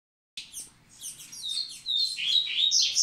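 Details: Double-collared seedeater singing in the Massai style to get females ready for breeding: a rapid, high run of chirped and twittering notes, slurred and sweeping, growing louder and more continuous toward the end, with faint low background noise.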